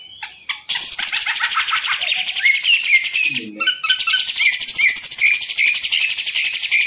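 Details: Caged green leafbird launches into a continuous, rapid, buzzy warble after a short pause, high and chattering throughout, with a brief low knock midway.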